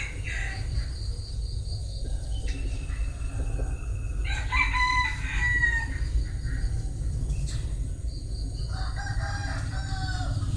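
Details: A bantam rooster crows: a rich, harmonic call that rises and then falls in the middle of the recording, with a second fainter crow near the end, set against a constant low rumble and faint high insect-like tones.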